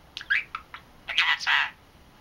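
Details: Three-month-old male budgerigar chattering to himself, able to say greetings in Korean and Japanese: quick scratchy bursts, short chirps, then a longer warbled phrase with speech-like mumbling, in a quiet room.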